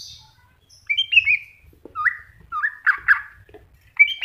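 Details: Cucak hijau (greater green leafbird) masteran recording: looping whistled notes, then deep-dipping upward slurs and two loud harsh bursts, with soft low rumbling underneath throughout.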